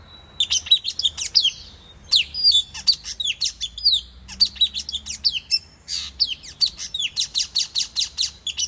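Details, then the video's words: High, piercing puling chirps used for luring birds in Sabah, repeated in dense phrases of fast downward-sweeping notes, ending with a steady run of evenly spaced sharp clicks. "SUARA CI MERAH BAYAN/BB/PULING"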